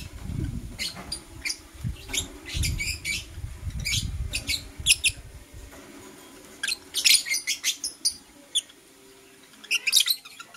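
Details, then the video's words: In the morning, blue opaline and parblue euwing opaline lovebirds give repeated shrill, high chirps in quick groups, dense twittering bursts throughout, with low rumbling and knocking sounds in the first half. "Lovebird Chirping Sounds"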